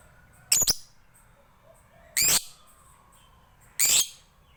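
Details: Lovebird from Bali, Indonesia, used as a prompt to get other lovebirds singing. Three separate harsh, high chirps, spaced about 1.5 seconds apart, over a quiet low hum.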